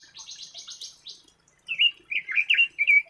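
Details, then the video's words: Red-billed leiothrix singing: a faint run of rapid high chirps, then louder short warbled notes delivered in quick, slightly descending phrases. "Red-billed Leiothrix Singing Voice"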